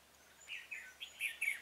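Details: Red-whiskered bulbul acting as a trapping decoy for wild birds, 26 February 2018; a quick run of clear slurred whistled notes rising in loudness across about a second and a half.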